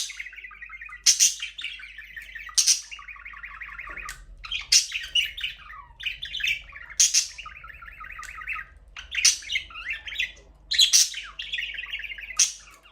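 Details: Budgerigars chirping in an aviary where breeding has begun and the first chick has hatched; sharp high chirps burst out every one to two seconds, alternating with rapid buzzy warbling chatter, in a small enclosed space.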